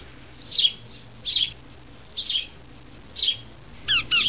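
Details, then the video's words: Sparrow giving spaced, slurred chirps about once a second, ending with a quick burst of clipped ringing notes. "sparrow and sparrow voice"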